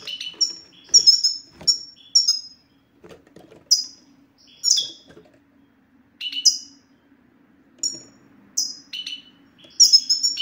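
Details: European goldfinch song played to stimulate silent male goldfinches into singing: bright twittering phrases with high descending whistled notes and short buzzy chirps, given in bursts separated by brief pauses, with a faint low hum underneath.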